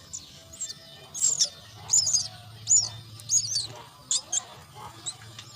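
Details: Nestling mynas calling for food at the nest, a run of shrill, scratchy squeaks in uneven clusters about every half second, some doubled, with a low steady drone underneath.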